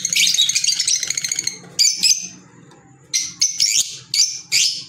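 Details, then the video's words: Green Fischer's lovebirds, pets, making a long run of shrill, rapid twittering, then several separate sharp, squeaky high chirps spaced by short pauses. "Fisher Love Birds Sound | African Lovebirds | Green Fisher Love birds Voice"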